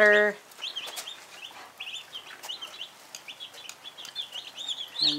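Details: One-day-old Cornish Cross meat chicks that have just arrived home give a steady chorus of high, thin peeps. A person's voice is heard briefly at the start and at the end.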